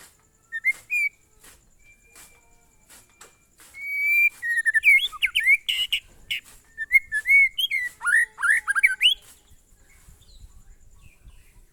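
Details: Murai batu, the white-rumped shama, in monotonous glondong style: sparse clicks and a thin whistle, then about five seconds of dense varied whistled phrases with sweeping slurs, fading to quiet.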